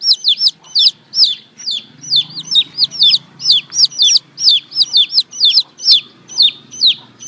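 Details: Chicken chicks cheeping in the morning, with piercing downward-sweeping peeps in paired bursts about once a second over a low background murmur.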